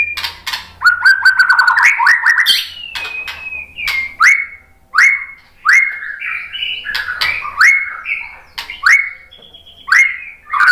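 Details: White-rumped shama song used to entice other birds into singing. A rapid chattering run and fluty slides open the clip, then varied loud whistled phrases, rising and falling, repeat roughly once a second with short pauses.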